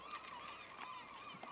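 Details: In the evening at a lake campsite on the Klondike route, distant gulls call over one another from a rookery on an island: a steady chorus of nasal, yelping cries.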